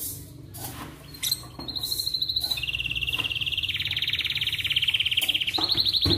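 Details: Atlantic canary singing in the morning to encourage other canaries: after a quiet start with a few clicks, a long, even high trill runs on, dropping a step midway and rising again at the close.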